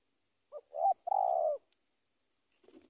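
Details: Spotted dove calling a rival: one phrase of two brief soft coos leading into a longer, vibrating, slightly falling note, with a faint rustle afterward.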